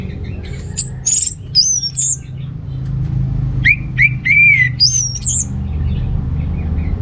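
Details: Orange-headed thrush, a captive bird in North Bali (Singaraja) singing in full voice, used to prompt a male lacking breeding drive to sing; bright, varied, high sliding whistled phrases with short slurred notes between, over a steady low rumble.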